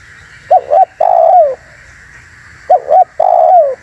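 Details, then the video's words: Spotted dove call used for trapping and provoking wild doves: two clipped coos followed by a drawn-out descending coo, the phrase given twice, with a constant faint high-pitched hiss behind. "SUARA BURUNG TEKUKUR UNTUK PIKAT DAN PANCINGAN"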